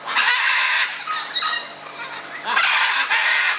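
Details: Scarlet macaws bickering: a long raw screech, a quieter gap with softer rasping notes, then two further loud harsh bursts in quick succession.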